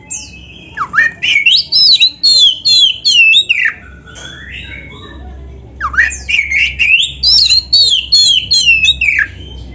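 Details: Oriental magpie-robin singing gacor in full narung style, a master recording for beginner or lazy magpie-robins: two long bursts of rapid, repeated warbled whistles, each several seconds, separated by a brief pause, with low steady hum beneath.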